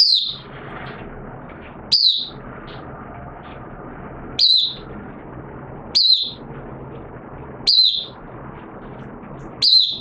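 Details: Oriental white-eye (mata puteh) kept as a hobby bird, starting to sing in wet weather on 6 September 2022: single sharp, high, down-slurred notes roughly every two seconds against constant low hiss.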